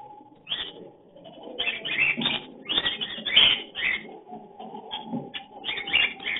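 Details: Lovebirds give mating or breeding calls: harsh, shrill chattering screeches in quick bursts, roughly every half second, over a soft low murmur.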